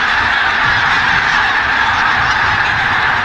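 A dense mixed flock of white-fronted and bean geese, countless overlapping nasal honks and yelps merging into a continuous, restless din.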